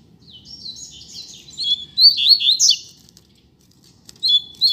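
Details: Singing coleiro from a pair on the street: a lively, tumbling sequence of high twittered and buzzy notes building to a loud climax, followed by silence and a short closing phrase.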